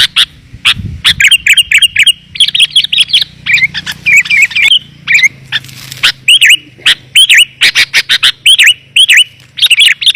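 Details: Lure call of the sooty-headed bulbul for attracting wild birds, clear and dense: lively stream of liquid, warbling whistles with sharp downward-and-up flicks, short pauses between bursts, over a faint low hum.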